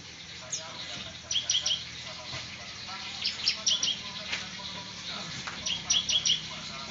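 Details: Bar-winged prinia giving semi ngebrem song as short groups of three or four fast, thin high notes repeated roughly every two seconds, fairly distant against steady background noise.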